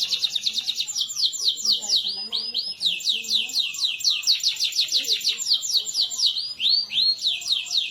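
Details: Canary song for training other canaries to sing, a master recording for competition birds: continuous fast rolling trills of rapid high sweeping notes, shifting between repeated slurred phrases, with faint low background murmur.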